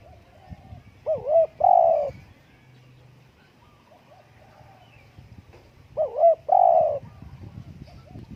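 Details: Spotted dove gives two cooing phrases about five seconds apart, each a pair of short wavering notes followed by a longer mellow coo, over a low background rumble.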